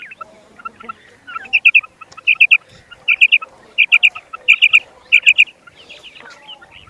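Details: Common quail giving repeated sharp triplet calls, quick three-syllable bursts spaced under a second apart, with faint background chirping and a few softer lower notes.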